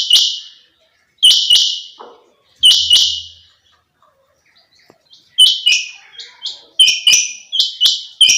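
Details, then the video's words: Female quail, chinga batair, calling: three well-spaced loud paired notes, high and buzzy, then after a pause a quicker, more crowded run of similar notes. "female quail sounds chinga batair"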